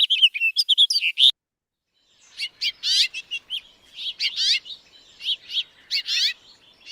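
House finch giving bright, high chirped calls: a quick burst of notes, a short pause, then scattered sweeping cheeps about twice a second.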